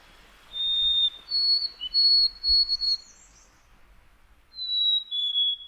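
White-throated Sparrow whistling a clear, pure song: one steady note, then a higher note repeated three or four times. A short two-note falling whistle follows.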